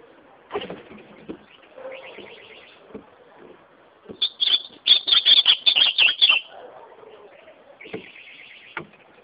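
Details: Ultramarine grosbeak singing: a burst of rapid, evenly spaced high whistled notes over about two seconds in the middle, with softer chirps and scattered clicks and knocks before and after.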